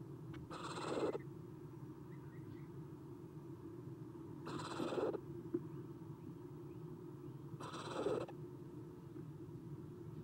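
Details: Three Eastern screech owl owlets in a nest box on a spring morning, 30 April 2016, after an adult departs: broad, breathy rasping hisses, each under a second, spaced about three seconds apart over constant background hum.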